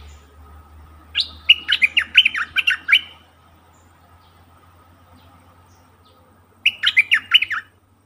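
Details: Captive decoy bulbul, recorded 8 August 2021, singing two bursts of rapid chirpy, warbling notes, each lasting about two seconds and separated by a pause, over a low steady hum.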